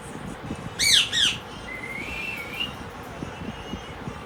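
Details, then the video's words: Parrot making cute sounds: two quick harsh, descending squawks followed by a long, wavering whistle that rises slightly at the end, over steady room background noise. "Parrot Sound Effect | Relaxing Bird Voice"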